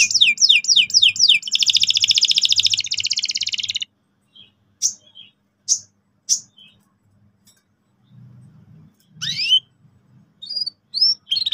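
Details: Singing canary used to lure juveniles into rolling: rapid swooping chirps and a long dense buzzing roll for four seconds, followed by sparse isolated clicks and short whistled notes.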